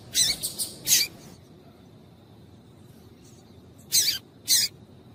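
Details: Female double-collared seedeater giving calls meant to get males singing: a few bright, high-pitched chips, three close together, then a long pause and two more spaced notes.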